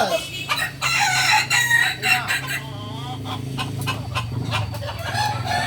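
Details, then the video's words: Kukuak Balenggek roosters at a Sunday gathering in Ampangkualo, several long, tonal, wavering crows overlapping throughout, with bursts of crowd noise behind them. "ayam kukuak balenggek"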